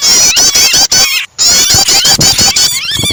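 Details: Prinia calls combined with a trapped bird's distress cries as a starter for other birds: staccato high chips and quavering whistled trills, one clear silent gap midway, then a final upward-bending note.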